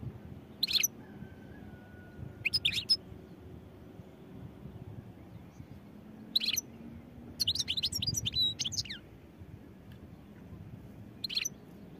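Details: European goldfinch singing in scattered short bursts of high twitter, with a longer run of quick liquid, tinkling notes near the end and faint low hum underneath.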